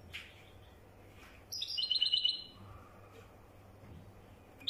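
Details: A single quick, high twittering phrase of rapidly repeated notes from a European goldfinch singing wydani style, set in a quiet room-like background with a faint later note.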